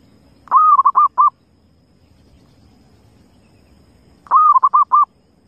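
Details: Wild zebra dove calling: a soft, cooing phrase of a rising first note followed by a quick run of three short notes, given twice about four seconds apart, with faint low background rumble.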